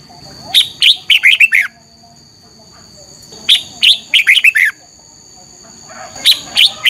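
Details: Morning competition singing of a red-whiskered bulbul, meant to spur other birds into song: quick phrases of bright, warbling, downslurred whistles repeated roughly every three seconds, with a faint continuous high hum in the background.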